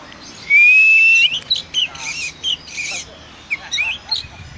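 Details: Oriental magpie-robin, called a lively, loud singer: a long, slightly rising pure whistle followed by scattered short chirps and soft notes.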